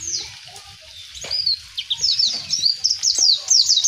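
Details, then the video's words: A wild white-eye in nature sings vigorously, with fast, high, thin twittering notes in quick sweeping bursts that grow busier toward the end, over a faint low background rumble. "SUARA ASLI PLECI gacor Ngalas di Alam"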